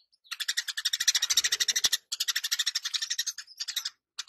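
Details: Eurasian tree sparrow singing boldly in 'gacor' and 'ngeplong' fashion. Dense runs of quick, high, metallic chirps rise out of near silence, with one sharp click midway and a brief gap before the final chirps.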